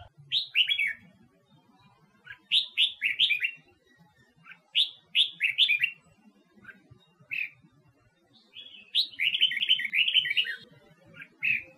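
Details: Red-whiskered bulbul from Huế, Vietnam, kept to sing in contests; repeated bursts of three or four quick descending whistled notes every couple of seconds, ending in a longer rolling warble.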